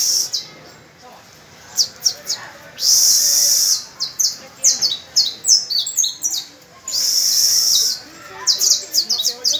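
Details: Domestic canary singing with young pupil birds practising alongside it on the first of May; bright high chips and descending whistled notes, broken by two long, even, rapid trills about a second each.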